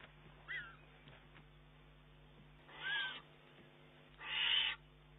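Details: Eurasian eagle-owl youngster begging its mother for prey, 19 June 2011. A faint short wheeze, then two louder rasping screeches about one and a half seconds apart.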